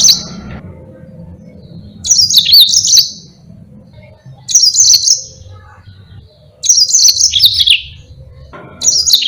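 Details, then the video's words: Yellow-fronted canary singing energetically, a recording offered for teaching songs to other birds; short high twittering bursts with trills and down-slurred notes, repeated about every two seconds, four phrases in all, quiet low rumble between them. "Burung Mozambique GACOR NGEROL PANJANG sangat Jitu buat masteran"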